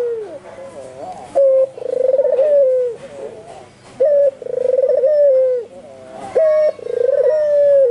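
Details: Albino white Barbary dove cooing persistently and forcefully, three phrases roughly every two and a half seconds, each a short abrupt note then a rolling, trilled coo that holds steady and falls away, with faint softer cooing between.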